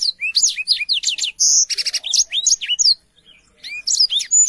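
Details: Lively chattering song of a black-throated canary, high swooping notes broken by a harsh buzzy burst, a brief gap of quiet, then more sweet rising chirps.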